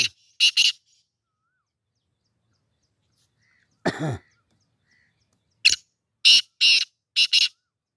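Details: Tournament-training black francolin calling in the evening of 17 June 2024: a short harsh pair of notes, a long silence broken by a low rough sound, then a rapid series of four loud, grating, scratchy notes.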